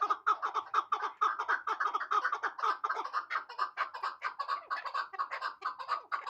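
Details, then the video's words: Rhythmic chuck-chuck calling from a hybrid chukar partridge, a little over two clipped, throaty notes each second, carried on steadily for six seconds with no other sounds. "Кабки Гибрид"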